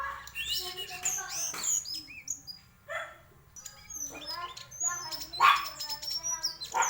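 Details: Varied song of a white-throated flycatcher, mixing clear high whistles, quick chirps and richer harmonic warbles in close succession, with brief gaps and a faint low background hum.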